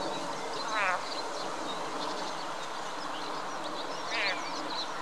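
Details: Greylag goose family at Munich Botanical Garden in April: two short, nasal, buzzy calls about three seconds apart over a steady background hiss, with faint chirps higher up.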